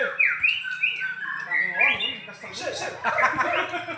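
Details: White-rumped shama at a songbird contest delivers varied whistled phrases, some rising and falling, mixed with harsher notes, while other sounds overlap in the background.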